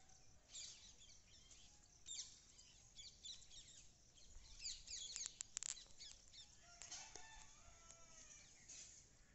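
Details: Birds chirping on a morning outdoors: faint, scattered, high-pitched chirps and short trills, with a brief burst of sharp notes midway, set against steady low background noise.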